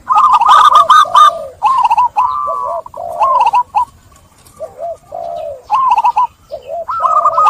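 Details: Zebra dove song used as a lure to get stressed, trap-caught doves singing again: rapid staccato clicks run into warbling, rising-falling coos, phrases repeated almost without pause, overlapping at times.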